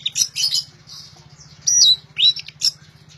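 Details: Orange-headed thrush in loud song: scratchy high chatter followed by a few sharp whistled phrases, with a steady low hum throughout.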